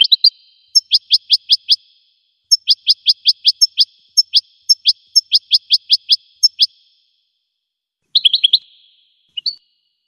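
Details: Goldfinch song of quick, repeated rising chirps in fast runs, pausing briefly between phrases, ending with a few rougher twittering notes and a single short note after a gap; nothing else is heard.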